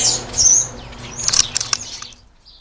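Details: European starlings squabbling over food at a garden feeder: a loud hissing, buzzy screech opens, followed by slurred whistles and sharp clicking notes, fading to quiet with a faint high whistle at the end.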